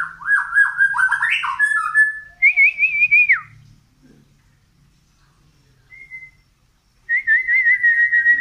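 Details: White-rumped shama from Medan, long-tailed, tail-pushing as it sings nonstop. A quick rising run of whistled notes, then a wavering trill, a pause, and another fast warbling trill.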